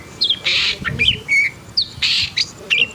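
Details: Long-tailed shrike in an agitated state, giving loud, grating, screechy rasps alternating with brief twisting whistles, several harsh bursts within three seconds.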